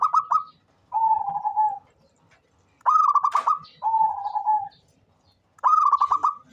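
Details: Local Indonesian zebra dove used as a lure bird, calling in alternating phrases: a fast stuttering trill of clipped notes, then a smooth level cooing note, repeated every few seconds.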